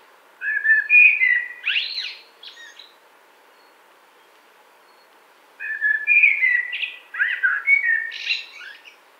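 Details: Two song phrases of a Common blackbird, recorded in 2018 near Wittlich. Each opens with rounded, fluting whistles and closes with squeaky high flourishes, with about three seconds of silence between them.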